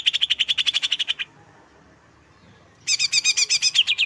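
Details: Greater green leafbird, known locally as cucak hijau, giving a fast run of bright repeated chirps, about four per second, then a pause before another burst of sharper, higher-pitched doubled notes.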